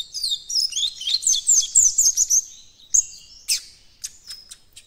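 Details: Coleiro baiano youngster trying out its encarte song, delivering a fast, rambling stream of thin, high, slurred notes that trails off into a few spaced chirps and a faint held whistle.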